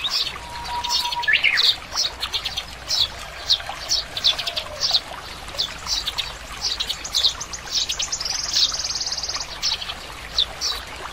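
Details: Oriental greenfinch calling with quick repeated high chirps in a steady run, broken by one drawn-out buzzy wheeze. A brief low steady tone near the start, over a constant water-like background rush.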